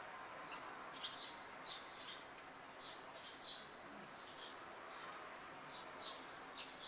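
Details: Eurasian tree sparrow fledglings in Japan, early July 2015, waiting on a board fence for a parent to feed them while one bullies another: short high chirps repeated irregularly about every half second, over steady broadband background noise.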